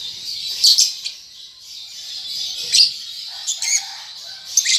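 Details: Immature lovebird rehearsing ngetik and ngekek chatter: a sustained high, buzzy twitter punctuated by several irregular sharp chirps and short clicking bursts, with faint lower rustles.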